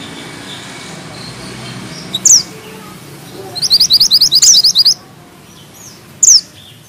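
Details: Mountain bushchat (mantenan gunung) singing actively: a sharp high slurred whistle, a tight rolling run of about twelve quick bright notes, then another lone downslurred whistle after a pause.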